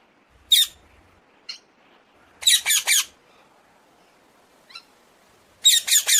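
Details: Common hill myna producing scattered single harsh squawks, then a quick triple of rasping notes and a closing group of three, with faint short squeaks in between.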